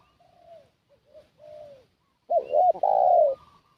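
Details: ['Faint distant dove coos at first, then the spotted dove used as a lure bird gives one loud phrase: two short clipped coos followed by a long, sustained, gently falling coo.']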